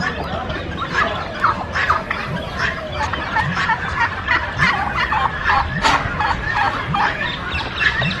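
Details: A large flock of domestic turkeys in the bird park at Lake View Park, Islamabad, Pakistan, where most birds roam free, gobbles almost without pause in rapid, throaty, overlapping rattling bursts in the afternoon, over a steady background murmur.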